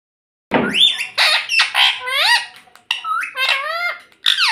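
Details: A talking parrot, said to say "mummy" and "papa", gives a run of shrill, nasal, speech-like syllables with rising and falling inflections. The syllables come in several bursts separated by brief pauses.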